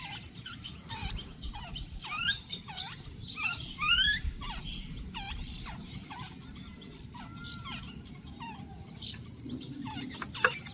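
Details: Wild jungle babbler chicks in Pakistan give a rapid series of squeaky, curved notes that bend up and down. Some calls sound doubled, and a few sharp high notes stand out over steady low rumbling background noise.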